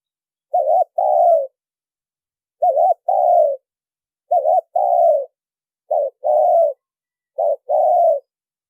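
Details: Spotted dove lure call without background sound: five low cooing phrases spaced about every one and a half seconds, each a short trembling note then a longer smooth falling coo.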